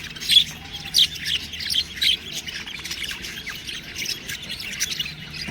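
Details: Budgerigar chicks let out loud, piercing chirps in quick, uneven bursts about once a second, set against softer continuous chatter.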